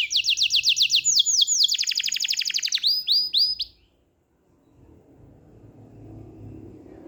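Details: Canary song: rapid rolling trills of repeated high notes that shift into a slower, higher tour after about two seconds. The singing stops abruptly near four seconds, leaving faint low background noise.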